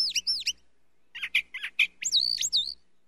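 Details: Brown thrasher singing in doubled phrases: two quick high slurred notes, then a pair of harsher chattered notes, then two loud sweeping whistles, each phrase given twice in quick succession.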